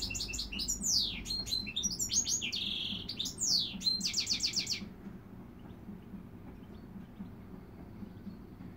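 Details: Goldfinch x dimorphic canary hybrid (mule) singing: fast varied twittering with rapid trills, buzzy notes and a sustained whistled phrase for about five seconds, then quiet with faint low hum.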